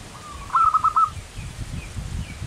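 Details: Zebra dove, a local perkutut, in one manggung phrase: a short even tone, then four fast rolling coo notes, with a background rumble of noise.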